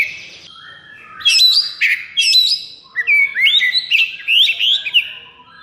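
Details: Caged white-rumped shama in high breeding condition and aggression, song used as a training master: clear loud whistled phrases with sharp rising and falling notes, short bursts and chattering trills, no other sounds.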